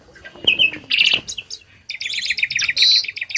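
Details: A tame starling pours out dense learned song to tutor other birds, mixing buzzy harsh bursts, rapid chattering and high metallic notes almost without pause.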